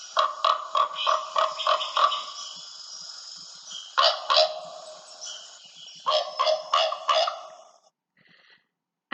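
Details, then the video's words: Common raven giving harsh, deep throaty croaks, about seven in two seconds, then scattered bursts over faint hiss; often heard hiking in local mountains. "now i'm going to play for you the sound of a common raven"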